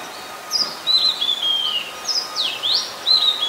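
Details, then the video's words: Oriental magpie-robin, a very common resident, singing in Ubon Ratchathani, Thailand, on 26 December 2020: loud clear whistled phrases, some sliding up and down, with short gaps between them, over a faint steady hum. "นกกางเขนบ้าน Oriental Magpie Robin (singing)"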